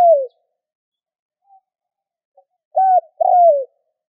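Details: Spotted dove call used to stimulate other doves into cooing: a short falling note, then a brief clipped hoot followed by a longer slurred coo sliding downward, in otherwise silent surroundings.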